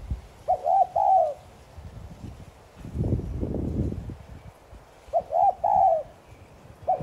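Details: Spotted dove cooing in the 'thúc gù' manner meant to set other doves cooing: hollow two-plus-one coo phrases near the start and end, with a broad rustling, rumbling noise filling the middle.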